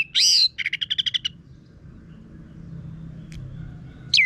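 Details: Orange-headed thrush song used to train birds to sing: a loud rising-falling whistled note, then a fast series of about eight even chattering notes, then a quiet pause before another whistle begins.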